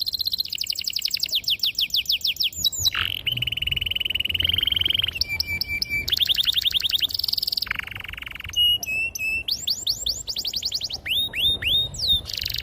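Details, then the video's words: Canary in long, emotional rolling song, used as a stimulus for young canaries: rapid trills alternate with a steady low buzz, sharp metallic chips, quick hooked whistles and further fast rolls, nonstop throughout. "PANCINGAN KENARI GACOR PANJANG || PANCINGAN KENARI PAUD BELAJAR BUNYI || MASTERAN KENARI PAUD"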